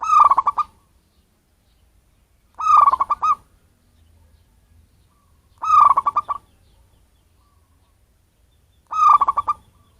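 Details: Wild-caught local zebra dove voice, used to lure birds. Four short phrases of fast, stuttering coo notes, repeated about every three seconds with quiet pauses between.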